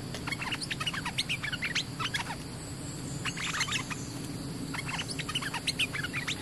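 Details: Bulbul decoy call used to lure wild birds: rapid bursts of short, sharp chirped notes repeated in clusters, with steady low hum behind.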